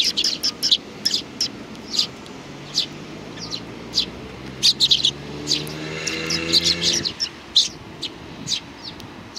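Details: Hand-reared young sparrows produce quick high chirps in scattered bursts, while a low droning tone, like a passing engine, rises and fades midway.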